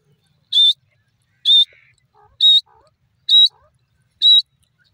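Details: Grey francolin (irani teetar) giving sharp high whistled notes, five evenly spaced calls about one second apart, with faint lower chirps between them.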